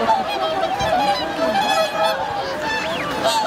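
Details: Wintering swans on the Ramsar-listed Lake Hyoko, Agano City, Japan, January 2022. Nasal, trumpeting honks from a large flock overlap steadily, with an occasional rising call above the chorus.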